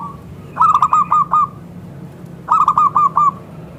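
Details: Local zebra dove singing as a lure to draw replies from other zebra doves: two bursts of about five quick, rolling cooing notes, each burst lasting under a second, separated by a short pause.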